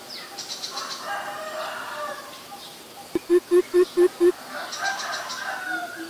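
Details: Greater coucal, a very common resident, in Ubon Ratchathani, Thailand, on April 21, 2022: a run of six deep, resonant hoots in quick, even succession, with roosters crowing and small birds chirping in the background.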